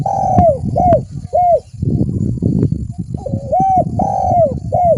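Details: Spotted dove cooing as a lure: two phrases of short arched coos separated by a noisy gap with low rumbling and clicks, the second phrase holding one longer drawn note.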